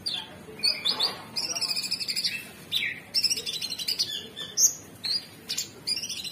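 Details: A cucak cungkok, the Orange-bellied Leafbird, pours out a busy gacor song of high whistles, downslurs, sustained fast trills and clipped chips in quick succession.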